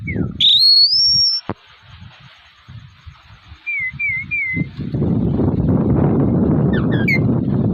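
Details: Male Asian pied starling in a fighting mood, giving a falling whistle and a loud rising sweeping whistle, then a run of three wavering whistled notes, with brief high notes near the end amid heavy low rumbling noise.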